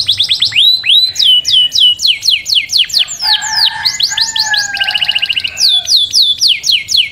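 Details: Canary song made of repeated swooping downslurred whistles, several per second, broken by a fast buzzy rattle and lower whistled tones before the swooping phrases return.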